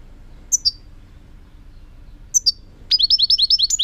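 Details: European goldfinch song: two separate high, bright call notes, a pause, then a quick run of tinkling, evenly repeated chirps.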